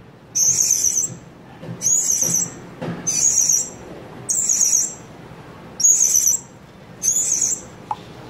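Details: Blue-crowned hanging parrot lure calls meant to attract other birds: six thin, high-pitched trilled bursts in an uneven series, about one every 1.2 seconds, with faint low hum and soft clicks behind.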